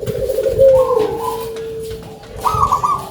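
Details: Local zebra dove with a big voice, singing actively: a rough, purring coo and a long steady low note, then a higher rolling trill near the end.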